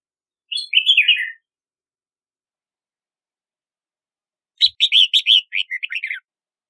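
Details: Red-whiskered bulbul singing two short bursts of bright, chirpy warbled notes, each under a second long and separated by a few seconds of silence, with the notes rising and falling quickly.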